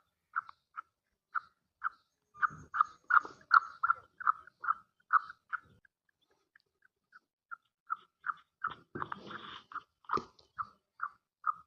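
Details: Female black francolin giving a steady series of short, clipped mid-pitched notes, about two or three per second, with a louder, denser stretch in the middle and brief rustling bursts near the end.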